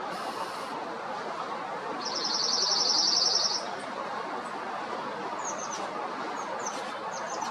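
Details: A Bewick's wren in Foster City or San Mateo, California, in June–July 2021 gives a high, dry buzz of about a second and a half, then a few sharp high chips, over steady background hiss.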